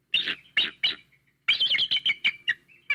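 Bald eagle giving three high, squeaky notes, then a quick run of thin chittering whistles that trail off. No other sounds are heard.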